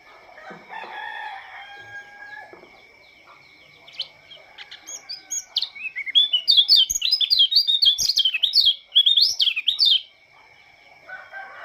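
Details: Morning song of a Lombok Oriental white-eye, a lively run of high, squeaky, rising and falling twitters lasting about four seconds, preceded by a rooster crowing in the background.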